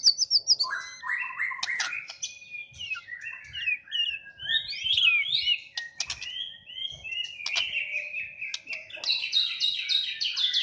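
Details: White-rumped shama, a champion songbird, pouring out a continuous varied song of trills, slurred whistles and chattering notes, ending in a quick string of repeated bright whistles.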